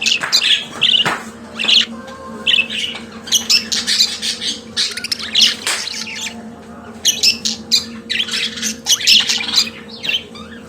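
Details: Pet budgerigar warbling: a dense chatter of buzzy, scratchy chirps and short squawks in bursts, with brief pauses, over a steady low electrical hum.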